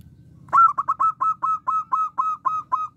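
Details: Local zebra dove with a small voice singing actively: a crisp burst of eleven staccato, slightly bending coos at one clear pitch, rapid at first and then evenly spaced, over a faint low hum.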